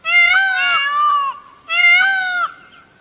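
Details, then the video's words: Peacock (Indian peafowl) in a dancing display, giving two loud, drawn-out nasal wails about a second apart, each call harsh and rich with a brief dip at its end. "peacock's sound"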